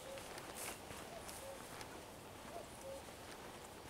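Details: Common cuckoo heard on 11 June 2023, giving soft low two-note calls three times against a hissing outdoor background, with a common redstart's song also present.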